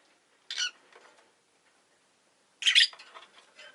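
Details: Two rosy-faced lovebirds bunched at the entrance: two raspy chirps about two seconds apart, each trailed by softer chatter and low household rustle.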